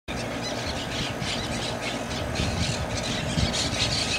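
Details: Monk parakeets at White Rock Lake, Texas, squawking harshly in rapid, overlapping bursts, about three a second, over a low rumble of traffic or wind.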